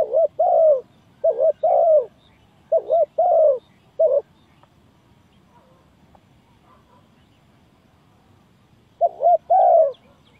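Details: Spotted dove lure for trapping: three paired low coos and a lone short note, then about five seconds of near silence before one more short-long coo pair.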